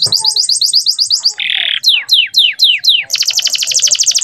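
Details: Male canary tutor song for young birds: fast high rolling trill, a short buzzy rattle, several slow downward-swooping whistles, then a dense rapid trill.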